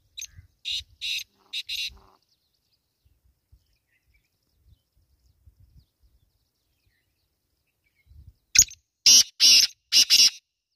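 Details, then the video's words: Black francolin giving harsh, rasping bursts: a group of three at the start, a long silent gap, then four loud scratchy notes in quick succession near the end. "Kala teetar boli | Francolin voice"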